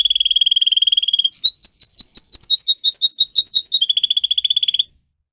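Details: Singer canary kept as a pet, song used for training: a fast buzzy trill, then a run of evenly spaced bright whistled notes, closing with another rapid rolling trill before stopping.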